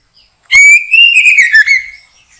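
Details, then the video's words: Single sustained whistled phrase from a white-rumped shama, caught during backyard bird trapping: a clear note swelling upward, then wavering and sliding down over about two seconds. "Mikat Burung Murai batu,,Sudah gacor dorrr"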